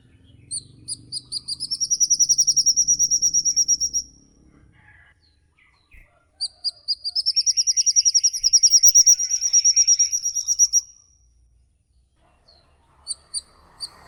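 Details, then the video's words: Songbird 'ngikik' calling from a lure recording of varied singing birds: two long, fast, high trills, each swelling and holding steady for several seconds, separated by a quiet gap, then brief single notes. "burung ngikik panjang"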